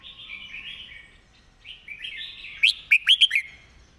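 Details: Master song of a Red-whiskered bulbul, clearly enunciated with good phrasing. A couple of seconds of quiet twittering lead into a loud phrase of five quick, sharp whistled notes that dip in pitch.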